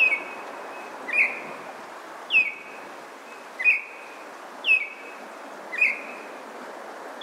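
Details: Baltimore oriole in Maynard, Massachusetts, May 9, 2023, singing loud, sharp whistled notes with a falling slur and a short trailing tone, about one per second, six times in a row.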